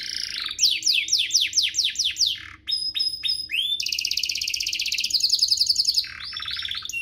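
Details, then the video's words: Domestic canary song used as a tutor recording for young birds to copy and to prompt other canaries to sing: a run of steep descending sweeps, then short clicks, then a dense buzzy trill and a final rattling roll. "Suaranya MUDAH DITIRU, Efektif untuk Masteran Kenari Paud dan Pancingan kenari biar gacor"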